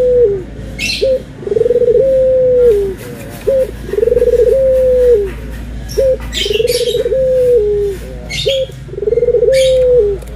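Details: Repeated cooing of Barbary doves, white and brown birds compared: short clipped note, then a rolling coo that rises and holds level before dipping, about every two and a half seconds; sparrow-like chirps sound between phrases.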